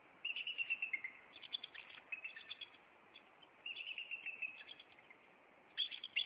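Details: Bald eagles at a Maine nest on April 26, calling as the male flies at an intruder and lands on a branch: bursts of high, staccato chittering notes in rapid series, pausing between bouts.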